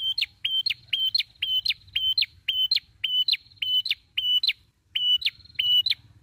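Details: A red-headed prinia (prenjak) in a lure recording repeats a loud, high whistled note that holds level, then snaps upward, about two phrases a second with a faint low hum underneath.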